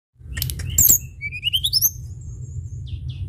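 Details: Sunda bush warbler in full song, recorded as a lure to get other birds singing: sharp high chips, then a rising series of slurred whistles climbing steeply. A thin drawn-out whistle follows over a steady low hum.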